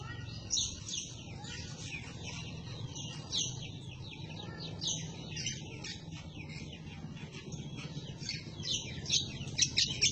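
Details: Green leafbird (cucak kombo) in scolding 'ngomel' chatter, used as a tutor recording for other birds; a dense stream of high, scratchy twittering notes with sharp accents, over a steady low hum.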